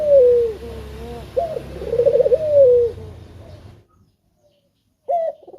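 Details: A male spotted dove coos to lure others into song: a falling note, then a rolling, tremulous coo that drops at its end. A low hum is underneath, then a short silence before one more brief note.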